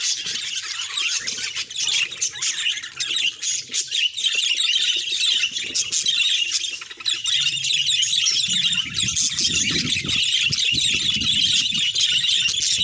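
Budgerigar chatter: a steady stream of high, scratchy warbles, chirps and squawks running almost without pause, with faint low thumps underneath.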